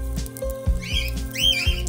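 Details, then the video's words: Cockatiels in an aviary giving two shrill, arching whistled calls in the second half, the second louder and sliding down after a sharp peak, over steady background music with low thumping beats. "Cockatiels aviary and little conversation"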